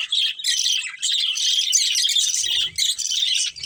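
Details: Breeding pair of budgies in a colony give a steady high warbling chirp stream with two brief pauses, clean and close, faint low noise near the end.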